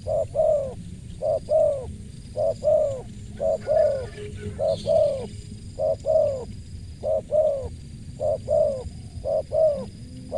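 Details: Steady series of spotted dove coos with a crisp tone: nine or so double notes, short then long and gently falling, repeated roughly every second over a low background hum.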